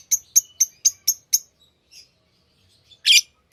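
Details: Lovebirds kept as pets: a quick series of six clipped, bright high chirps about four per second, a softer squeak, then one loud harsh screech.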